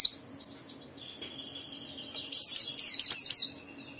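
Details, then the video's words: White-eye in full gacor song, used as a lure for other white-eyes: a thin high note, a soft sustained warble, then a loud flurry of sharp, down-slurred chirps late in the clip. "Suara burung Pleci ini Ampuh memicu semua Pleci cepat Buka Paruh dan gacor"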